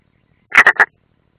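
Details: Unringed European roller at its nest in the Ādaži military training area, Latvia, 30 June 2016, from a live nest stream: three quick harsh, rasping croaks in a tight burst, with silence around them.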